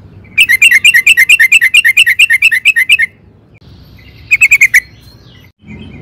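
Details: Lively sooty-headed bulbul (trucukan) song played as a lure to provoke other birds into answering: a rapid chain of around eighteen bright chirps lasting nearly three seconds, a silence, then a brief six-note burst; faint low rumble behind.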